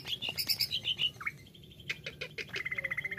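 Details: Greater green leafbird, called cucak ijo, singing a rapid, varied jumble of high chirps and slurred notes, ending in a fast even trill of repeated notes, over a low steady hum.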